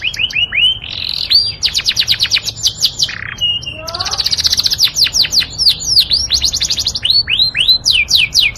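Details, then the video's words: Tutor song from a Yorkshire canary, sweet and continuous: quick series of high, sharply descending notes alternating with rolled trills and a brief lower buzzy note, delivered almost without pause. "SUARA MERDU BURUNG CANARY YORKSHIRE ! MASTERAN"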